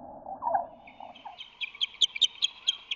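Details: Osprey calls during an aerial skirmish on a March 2020 morning, a resident female defending her nest against a rival female; a low muffled note first, then a rapid run of sharp, high whistled chirps repeated about four to five times per second.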